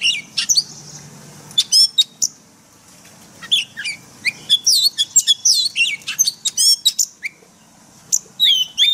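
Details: White-rumped shama singing forest-voice song for caged-bird training: short high chips and whistles, a short pause, then energetic rapid sequences of sharp looping notes.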